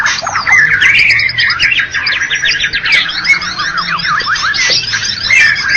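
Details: White-rumped shama of Medan and Java stock, a first-place bird contest winner, singing a dense nonstop stream of rapid varied whistles, sharp rising and falling sweeps and chattering notes, loud throughout, with a faint low hum beneath.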